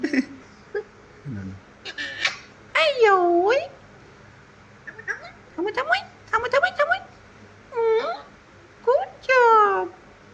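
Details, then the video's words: Pet Alexandrine parakeet, a green ringneck kept indoors, talking with phrases such as hello, papa and I love you. Its voice comes in bursts of nasal, swooping syllables, mixed with a person's praise and chatter. "Clever Alexandrine Parrot Talking"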